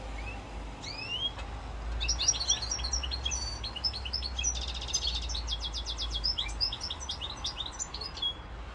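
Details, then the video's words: Song of a Corsican European goldfinch on 7 November 2022: a few rising whistles open, then a fast liquid twittering run of tinkling notes and rapid buzzy trills lasting several seconds, with a low background hum. "chant chardonneret rosse corse"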